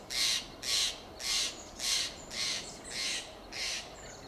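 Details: Steller's jay in a coast live oak in Del Monte Forest, California, gives seven loud, harsh, raspy shack notes about every half second, a mobbing-type alarm call; nothing else is heard.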